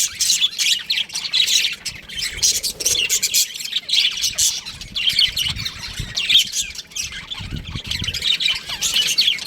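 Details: Young budgerigars in an aviary chatter in waves of shrill, overlapping chirps that swell and fade every second or two, with soft low rumbles underneath.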